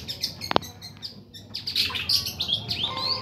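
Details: Captive young male white-rumped shama competing with other birds, giving a quick jumble of high chirps, twitters and short slurred whistles, dense and hurried, with one loud click early on.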